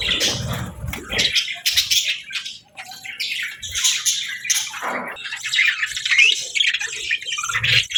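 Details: Budgies at feeding time give quick chirps, squeaks and harsh squawks in overlapping bursts, with some low rumbling at the start and end and a short lull near the middle.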